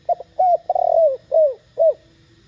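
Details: Loud 'thổ đồng' style cooing of a spotted dove, played to provoke other doves to answer: a clipped double note, a slurred rise, a long vibrating coo, then two clear downward-curving notes.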